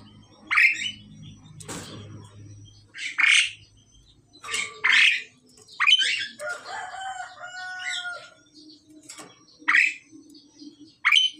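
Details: A male and female Asian pied starling in the process of pairing trade harsh, scratchy bursts about every one to two seconds, with a few clear whistled notes in between; a faint low hum sits underneath.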